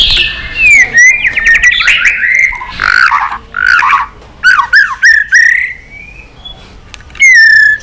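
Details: White-rumped shama in competitive, many-voiced song, flicking its tail. It gives a varied string of loud slurred whistles, rapid trills and descending swoops, with short pauses between phrases.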